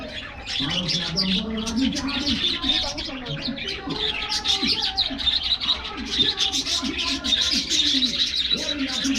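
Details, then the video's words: Budgerigars in an aviary in the morning, excited while getting a diet treat: a dense, continuous chatter of high warbling chirps and squawks, with lower murmuring tones running underneath. "Happy Budgies Getting Morning Diet Treat"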